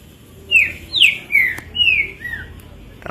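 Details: Kept green-winged saltator singing a run of five loud, falling whistles in quick succession, rich and slurred, followed by a brief click and a soft tap at the end.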